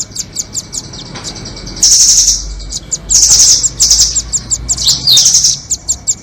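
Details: Calls used to lure nuthatches into traps, doraemon against red-billed types: spaced sharp high ticks, then loud rapid trills, one after another with short pauses between.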